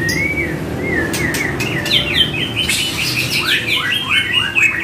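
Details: White-rumped shama song meant to provoke a reply from other shamas: a few clear rising whistles that speed into fast, varied, tumbling warbles and trills.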